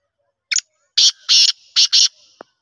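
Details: Black francolin in winter, 10 November 2023: a brief thin lead-in note, then a harsh, rasping, rhythmic phrase of four loud grating notes over about a second. A faint low thump follows at the end.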